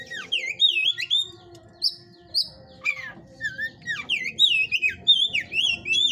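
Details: Caged Oriental magpie-robin at a breeder's aviary singing in the 'hot type' style: a loud, fast, varied stream of rich whistled and slurred notes, rising and falling, packed tightly with few pauses.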